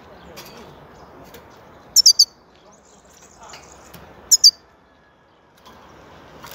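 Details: European goldfinch making two brief bursts of three bright, tinkling high notes, a couple of seconds apart, against low steady hiss.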